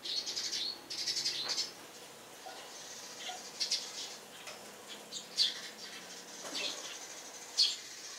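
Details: Eurasian tree sparrows on a house roof in the morning, a few quick chirp bursts at first, then sparse single high sharp notes every second or two.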